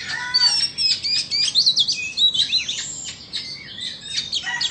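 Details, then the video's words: Oriental magpie-robins from Vietnam and Indonesia in a song duel, pouring out fast, varied whistles, sharp chips and rising slurs in rapid pulsed bursts, with brief gaps between phrases. "Chòe than VN đấu với Chòe Than Indo"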